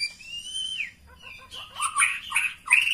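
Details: Female white-rumped shama call to arouse a male: one long clear rising whistle, a brief pause, then a burst of harsh, jumbled chirping notes.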